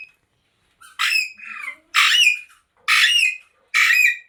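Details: Indoor ringneck parrot giving four loud, harsh squawks about a second apart, each a bright burst sliding downward at the end, with silence between them.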